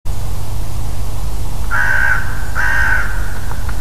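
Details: Ravens and a crow calling outdoors: two long, drawn-out harsh caws, each about half a second, over steady low wind rumble.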